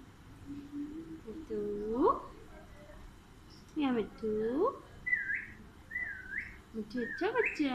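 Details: Alexandrine parakeet talking: a few curved, speech-like phrases that rise and fall in pitch, followed by short high whistled notes and a final burst of mixed chatter.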